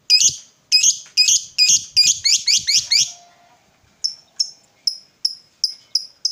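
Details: Lovebird played to stimulate silent or lazy lovebirds to sing: a series of harsh, high chattering bursts that speed up into a quick rattling run, then sharp short chirps repeated about every half second.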